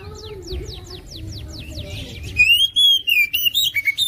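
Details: Oriental magpie-robin, a 2021 national champion contest bird, starts with a soft series of repeated downslurred notes over low hum, then launches into a loud, sweet whistled phrase.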